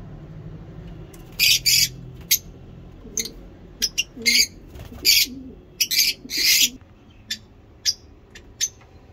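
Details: Lovebird in a long ngekek chattering bout, here in sparser harsh high squawks and clicks, singly or in short pairs with pauses between, over a quiet low background hum.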